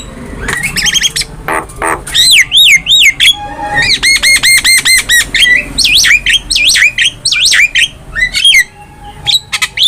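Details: Black-winged myna song used as a master recording for training cage birds: loud, varied whistles, including wavering rising-and-falling notes and rapid buzzy rattling bursts, with a steady low hum beneath.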